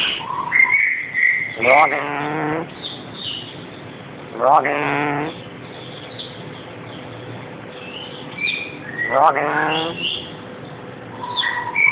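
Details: Pet male black-capped lory calling to be let out: loud, harsh, buzzy squawks in short bursts repeated every few seconds, separated by thin whistled notes and quieter chatter.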